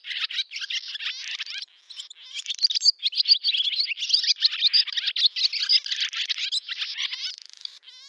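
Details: Barn swallow song recorded 8 August 2013 in a village of Novgorod oblast, Russia, in summer: continuous busy twittering of mixed chirps, warbles and short trills, hardly pausing, with a brief rattle-like phrase.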